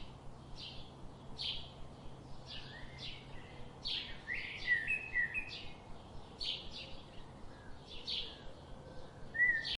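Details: Garden birds seen daily give a steady string of short, high chirps, about one every half second, mixed with a few brief whistled slurs against quiet, hissy outdoor ambience.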